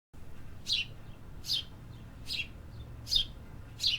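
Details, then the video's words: City birds singing in an urban setting: five sharp, high, downward-slurred chirps spaced under a second apart, over a steady low hum of city background noise. "Urban Birds Sound Effects"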